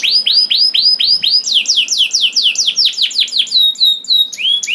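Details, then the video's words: Singing canary used to get other canaries to answer in song: evenly spaced curved whistled notes, then a faster run of falling notes and bright high chirps. "DENGAR SUARA KENARI DI JAMIN KENARI NYAUT SEKETIKA"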